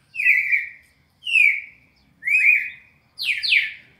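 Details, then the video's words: Red-crested cardinal in the classic four-note song style used to train captive birds in Brazil: three sustained sliding whistles, ending in a quick doubled falling note. "ÁUDIO PARA ENCARTE DO CARDEAL SEQUÊNCIA MÁQUINA DE CANTO 4 NOTAS CLÁSSICO"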